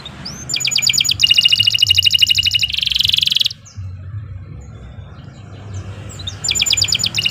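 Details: Canary with gacor song for bird-training masters: a fast ringing trill and buzzy rattle for a few seconds, then several seconds of low rumbling background noise before the trill resumes.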